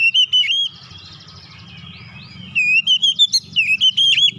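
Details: Oriental magpie-robin giving a basic song in the tight rolling style known as ngeroll rapat: bursts of rapid, whistled, warbling notes, a quieter stretch of soft sweeping notes, then another fast run of loud rolling phrases.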